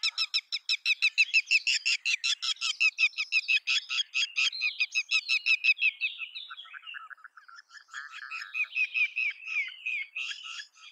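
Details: Red-wattled lapwing giving loud alarm calls: a fast run of sharp, high notes repeated about three times a second, slowing into a brief lower stutter, then another rapid burst of shrill notes; no other sounds.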